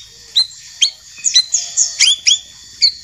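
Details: Champion white-rumped shama and young speckled shama in a tutoring recording. Loud, clipped whistles with downward-sliding tails, some paired in quick succession, stand out against a steady high background hiss.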